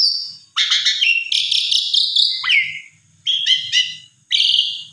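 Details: Asian pied starling delivering loud bursts of song to provoke a silent bird; buzzy, rasping phrases with whistled overtones, a short falling-rising whistle, and three separate harsh bursts with brief silences between them.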